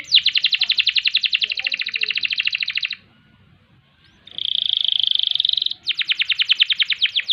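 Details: Canary delivering long rolling trills, a rapid buzzy rattle for three seconds, a brief pause, then a steady dense trill and another fast roll, recorded for training other cage birds.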